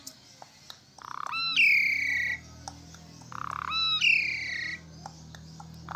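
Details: Asian pied starling singing vigorously, played to stimulate silent or stressed starlings to respond: twice a grating buzzy rasp leads into a loud harmonic whistle drawn downward, with a low steady hum behind.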